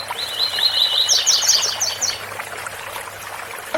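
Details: Double-collared seedeater singing the tui tui style of song over a steady waterfall rush: a fast run of short, even chips, then a brief burst of higher, sharper notes, roughly one second in all.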